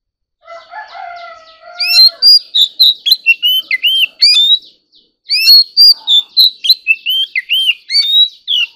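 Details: A stimulated Oriental magpie-robin sings competitively in two bursts of loud, fast, varied whistles and curling slurs. A lower, steady, nasal drawn-out tone sounds beneath the start of the first burst.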